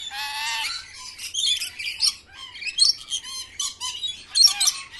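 A flock of parrots keeps up a harsh, overlapping chatter of raspy squawks and shrill chirps, with bursts of louder screeches every second or so.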